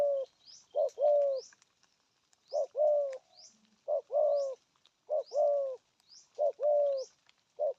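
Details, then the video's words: Steady hollow cooing of a spotted dove, 'gù thúc' type in a regional style: groups of two or three low notes, the last one longest, with high rising chirps of small birds behind. "Thổ âm cực phê! thuc gù thúc kèm bài bản"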